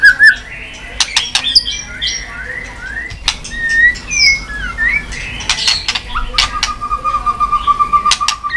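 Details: White-rumped shama, known locally as chòe lửa, urged into song while tail-flicking. Softer whistled slurs and short notes mixed with many sharp clicks, ending in a long steady buzzy trill.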